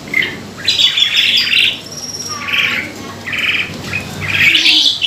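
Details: Asian pied starling song used as a lure to bring on singing: varied whistled and squawky phrases in bursts, mostly high-pitched, with short pauses between, over a faint steady low hum.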